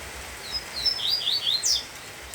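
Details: A caged male coleiro (Coleiro) sings the tui tui song while agitated during the nesting season, near a female, in the rain. The song is made of high, thin, rising whistled slurs in quick succession. Faint, steady rain hiss sounds underneath.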